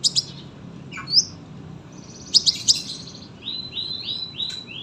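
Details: Sunbird singing at length, presented as a tutor recording for other birds. Scattered sharp high chips and a short buzzy phrase, then a series of four or five thin, upslurred whistled notes at the end.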